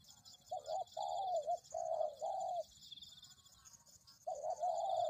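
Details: Spotted dove used for luring birds gives a soft, throaty coo phrase of three wavering notes, then a pause, then the phrase starts again, backed by a faint steady high buzzing.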